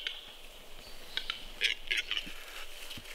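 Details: Short burst from fighting capercaillies at a lek in Kuusamo, Finland, May 2021: quick clustered clicks and knocks with raspy scraping, several strikes bunched near the middle.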